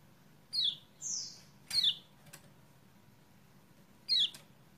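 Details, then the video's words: Lemon-bellied white-eye, 28/11/20, used as a lure to make a silent bird sing; quieter thin chirps sliding downward, one higher drawn-out note, and a few sharp clicks amid soft low background noise. "PANCINGAN CEPAT GACOR UNTUK KECIAL KUNING MACET"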